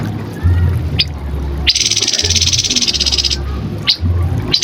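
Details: Grey-headed canary-flycatcher song for training cagebirds: a short sharp note, then a rapid pulsing buzzy trill of about 1.7 seconds, followed by further short chips against a low rumbling background.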